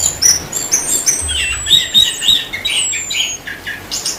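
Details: Orange-headed thrush, Indonesia, singing in energetic gacor style. A rapid medley of high chirps, short warbles and long descending whistles, with a thin whistle sweeping down near the end.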